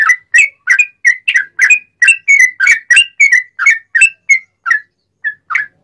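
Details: Sooty-headed bulbul singing loudly and continuously, wild style, as a master song to make other bulbuls sing. Crisp whistled notes come about three per second, then thin to a few spaced notes at the end.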